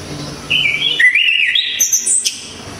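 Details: Loud, sharp Orange-headed thrush of Java delivering one continuous phrase: a level whistle that dips, then climbs in wavering steps before ending in high, thin trilled notes, over a soft background hiss.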